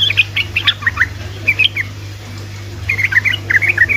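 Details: Sooty-headed bulbul in vigorous song, meant to get silent bulbuls singing: two clusters of quick, slurred chirping notes separated by a short gap, with a constant low hum behind.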